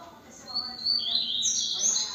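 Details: Double-collared seedeater singing a brief, high, bright phrase of piercing whistled notes that run together into a loud, ringing burst over a faint low background murmur.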